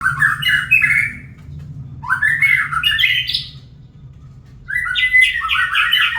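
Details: Kept white-rumped shama singing in the morning: three separate bursts of rich, fast warbled phrases that step upward in pitch, each lasting about a second and a half, with quiet gaps between them.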